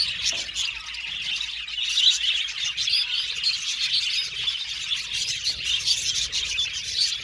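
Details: A group of budgerigars keeps up steady high-pitched chatter, quick scratchy tweets and little whistles running together in a constant busy stream.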